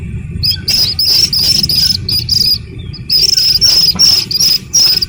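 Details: Slaty-legged crake chick uttering piercing, high peeps in short clusters, a quieter gap in the middle, then a faster run of evenly spaced notes, against a low background murmur.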